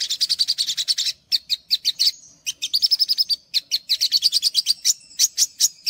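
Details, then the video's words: Olive-backed sunbird singing as a masteran to stimulate untrained sogok ontong: a hurried burst of high twittering chirps, then spaced sharp notes, a short run of even ticks and more lively chirping. "MASTERAN SOGOK ONTONG UNTUK PANCINGAN SOGOK ONTONG BAHAN"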